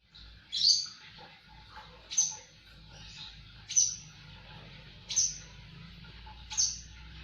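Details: Javan bush lark singing in lively, full voice: short high chirps with downward sweeps, spaced roughly every one and a half seconds, fairly quiet against a low background hum.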